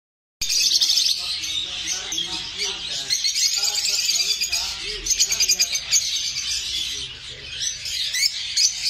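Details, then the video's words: Lovebirds chattering in dense, shrill, overlapping chirps that run without pause, with faint low voices or music underneath. "লাভবার্ডস পাখি"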